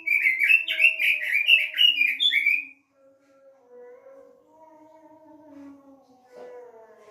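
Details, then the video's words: Robin song used as a lure for a kept bird: nearly three seconds of quick, jumbled warbled notes stop abruptly, leaving soft low tonal sounds and a faint hum for the rest. "pancingan burung robin"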